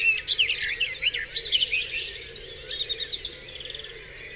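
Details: On Dewlands Common at daybreak, birds sing in chorus: a burst of fast, jumbled twittering and chirps at the start that thins into quieter overlapping trills later.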